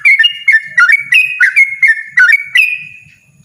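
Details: Yellow-vented bulbul in loud, persistent ropel song: a hurried jumble of liquid whistled notes, some stretched and wavering, that fades out with a trailing whistle at the end.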